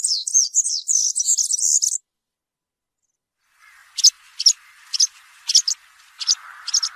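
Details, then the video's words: European serin giving field-style ("campero") song for training young serins: two seconds of very high, fizzy, jingling song, then after a pause sharp, high separate notes over a lower, steady hum. "𝗩𝗘𝗥𝗗𝗘𝗖𝗜𝗟𝗟𝗢 𝗖𝗔𝗡𝗧𝗔𝗡𝗗𝗢 𝗖𝗔𝗠𝗣𝗘𝗥𝗢"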